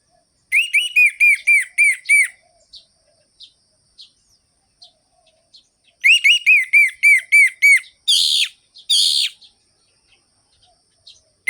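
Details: Orange-headed thrush singing to prompt other birds: evenly repeated rolling whistled notes, about eight per burst, twice, followed by harsh rasping chatters and scattered soft high notes.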